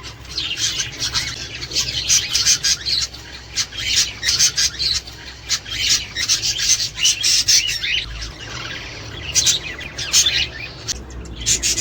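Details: Several budgerigars chattering to stimulate breeding: long unbroken twitter of rapid chirps, clicks and buzzy notes in pulsing waves, briefly thinning near the end before resuming.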